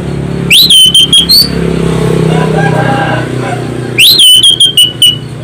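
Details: Orange-headed thrush singing loudly as a lure for other birds: two bursts of rising then falling shrill whistles with quick clipped notes, with a rumbling engine-like drone filling the gap between them.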